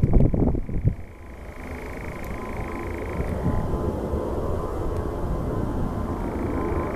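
A nightjar gives a steady, dry churring trill that drones on for seconds like a distant engine, over a heavy low rumble of wind or traffic.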